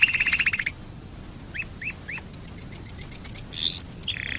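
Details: Domestic canary lure song meant to get other canaries singing: a short buzzy trill, three upslurred whistles, a run of evenly spaced high ticks, then a swooping warble.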